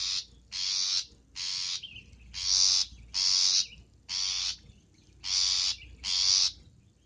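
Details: Long-tailed shrike used to lure birds: a run of eight coarse, rasping notes, each about half a second long, delivered almost without break.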